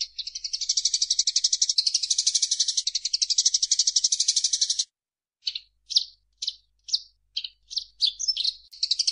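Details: Eurasian tree sparrow, used as training song for caged birds: a long, dense, high buzzy rattle of rapid chips, then a silence and a run of separate sharp chirps spaced about half a second apart.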